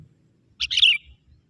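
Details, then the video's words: Young forest sooty-headed bulbul used as a lure to call wild bulbuls: a single bright, bubbly, slurred chirp phrase, quick and descending at the end, in a quiet background. "Suara kutilang muda hutan memanggil burung kutilang liar!!"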